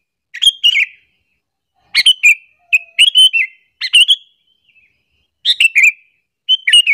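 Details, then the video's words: Sooty-headed bulbul call meant to lure and anger other bulbuls: short clusters of rapid, liquid chirping whistles repeated about every second, with clean silent gaps between phrases. "suara panggilan burung kutilang alasan untuk pikat"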